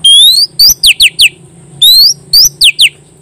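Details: Oriental magpie-robin in full ngeplong song, calling a rival: a long bright rising whistle followed by three or four fast down-slurred notes, the whole phrase repeated twice, with a faint constant high-pitched hum behind.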